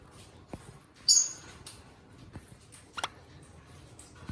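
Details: Eastern rosella, one of two pet birds filmed up close, giving a single sharp, high, harsh squawk about a second in, followed by a few faint clicks and taps in a quiet room.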